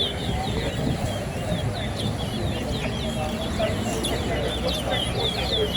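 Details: Chestnut-bellied seed finch (towa towa) at a bird singing competition at Lusignan, Guyana: quick, high, twittering phrases repeat through the clip over a steady murmur of crowd noise and voices.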